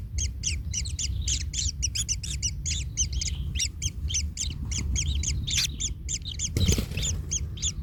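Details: Kingfisher nestlings in a nest as a parent steps on them, one chick hurt: a dense chorus of rapid, harsh, raspy notes in two bands, piled over each other without pause, with a low rumble beneath and a brief noisy burst near the end.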